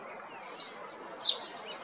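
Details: Short burst of very high, piercing twittered notes from a European robin recorded at Jarun in Zagreb, Croatia, on 13 April 2022, with two loud bright accents.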